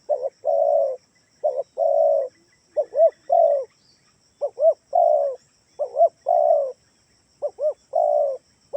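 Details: Spotted dove of the Kalimantan type, its call used as a lure so kept doves answer: deep, mellow cooing phrases of two to four notes, some with a rising-falling double note, repeated after short pauses over a quiet background.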